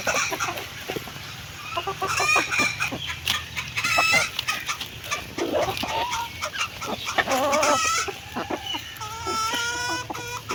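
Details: Chickens at their food call repeatedly: clear harmonic clucks and several long quavering, rising calls, ending in a string of flat, evenly spaced clucks.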